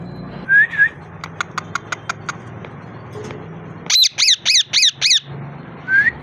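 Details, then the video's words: Parrot calling: a rising whistled squeak opens, then a row of short sharp clicks, then five loud harsh squawks in quick succession, ending with another upward-sliding whistle. No words can be picked out. "Amazing parrot talking and voice"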